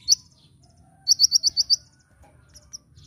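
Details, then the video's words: Kolibri ninja sunbird singing in a master recording used to train cage birds in a lively nyecret-nembak style: a sharp high chirp, then a quick run of six bright, evenly spaced high notes and a few scattered tweets. "Masteran Burung Kolibri Ninja (KONIN) Gacor Nyecret Nembak"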